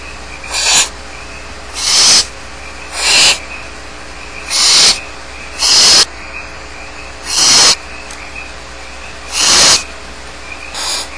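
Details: A long run of about ten harsh, hissing begging calls from barn owl chicks alone in the nest at Starr Ranch, repeated roughly once a second with uneven gaps.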